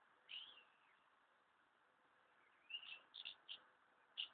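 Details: Numerous house martins gathered at their nesting places, preparing to leave: short bright chirruping calls, one near the start and a quick cluster of four or five toward the end, over a steady faint background hiss.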